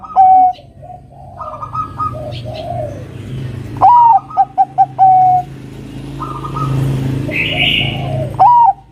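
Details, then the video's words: Lure song of a Bangkok-type zebra dove meant to set off a rival. One clear phrase of a rising note, five quick clipped coos and a long coo, amid softer background bird notes and murmur. "Perkutut Bangkok Gacor suara burung Kutut Bangkok Gacor Pancingan manggil Lawan agar Bunyi Manggung"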